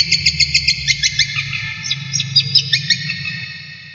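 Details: Kept brown shrike, a mimic popular with songbird keepers, singing a training recording: quick high notes that slow into irregular, varied chirps and fade toward the end, over a low hum.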